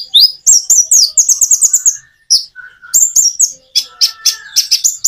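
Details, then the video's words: Common iora song: rapid, rolling series of high chirps repeated in quick succession, a brief pause with a soft lower whistle, then more bursts of sharp, buzzy high notes. "Kicau burung konin jeda natural untuk pancingan"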